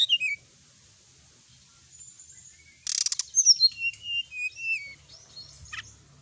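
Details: Sooty-headed bulbul singing a varied training song: a quick downslurred note, a burst of static-like clicks, then a string of clear whistled notes that rise and fall, ending with a sharp falling call.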